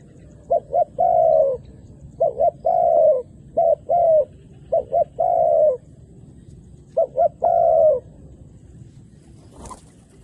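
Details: Doves lured to the ground by a calling decoy, male and female alike; four repeated cooing phrases, each two or three short clipped notes then a longer sustained coo, spaced about two seconds apart, ending with a brief click.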